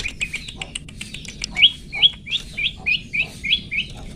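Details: Song of a long-tailed shrike for teaching caged birds: scattered ticking notes give way to a steady series of about nine rising, whistled slurs, each roughly a third of a second apart.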